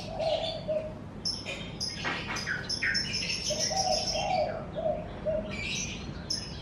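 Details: Several birds in front of a house in the morning, giving sharp high chirps, buzzy twitters and trills in scattered bursts, with two runs of low cooing notes between them.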